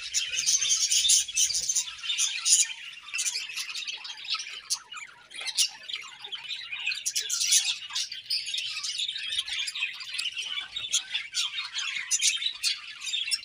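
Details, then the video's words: Budgerigar flock in morning song, busy overlapping chirps, squawks and sharp clicks forming a continuous high-pitched chatter throughout. "𝑩𝒆𝒂𝒖𝒕𝒊𝒇𝒖𝒍 𝑩𝒖𝒅𝒈𝒊𝒆𝒔 𝑴𝒐𝒓𝒏𝒊𝒏𝒈 𝑪𝒉𝒊𝒓𝒑𝒊𝒏𝒈"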